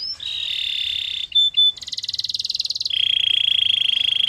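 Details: Canary song made of sustained rolling trills. A steady mid-high buzz shifts to two short clear whistles, then a faster, brighter pulsed roll, and ends on a long even trill.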